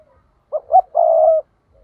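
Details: Decoy spotted dove used for trapping, 'thúc' style call: a pair of quick hollow coo notes followed by a drawn-out purring coo of about half a second, recorded close with silence around it.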